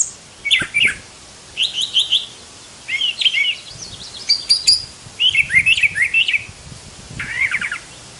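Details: A Brown thrasher, noted for roughly 1,200 song types, delivers distinct varied phrases of slurred, chattering notes and brief trills, some phrases sounding doubled, with short silences between.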